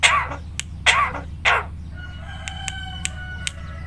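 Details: Javan myna, a caged talking bird, mimicking human speech: three harsh, breathy speech-like bursts in quick succession, then faint tonal whistles and clicks, with a steady low hum behind.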